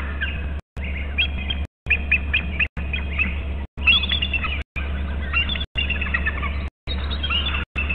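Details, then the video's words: At an eagle nest and territory on Hornby Island, an eagle gives high, chittering calls in short bursts over a low rumble as a third eagle arrives and a fourth flies off and returns. "hearing em call and a 3rd eagle"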